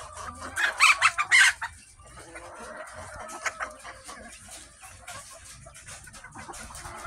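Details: Mother hens clucking: a burst of loud, harsh, broken calls in the first two seconds, then softer scattered clucks and rustling over a low background hum.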